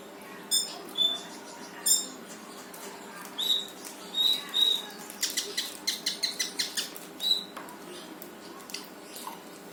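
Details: Brown-throated sunbird (konin) in energetic 'gacor full tembakan' song, meant to coax a reluctant bird into singing: thin high whistled notes separated by pauses, then a rapid burst of sharp clicking chirps, then another whistle.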